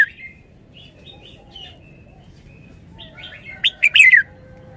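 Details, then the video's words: Red-whiskered bulbul in wild-style song; soft scattered whistles and chatter build toward a single loud, rich phrase of quick notes ending in a descending slurred warble near the end. "นกกรงหัวจุก 292 เพลงป่า แกนโต"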